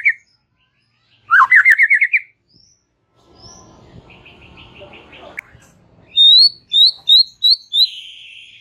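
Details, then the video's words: White-rumped shama in relaxed chatter for stimulating young and wild-caught young birds. A pulsing trill, brief thin whistles and soft murmuring background give way to a bright series of high falling whistles ending in a buzzy note. "Ocehan SANTAI Murai Batu COCOK untuk pancing PAUD PASTOL dan Muda HUTAN"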